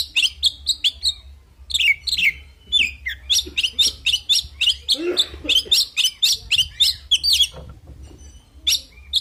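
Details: Oriental magpie-robin in aggressive fighting song: a fast, unbroken stream of sharp chirps, whistled slurs and scratchy notes, loud and hurried throughout, over a faint low hum.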